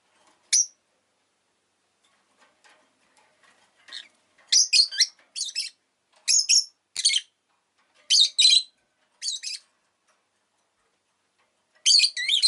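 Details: Rosy-faced lovebird giving bursts of loud, piercing chirps, often in pairs or triplets, with short silent pauses between groups and a final harsh burst at the end.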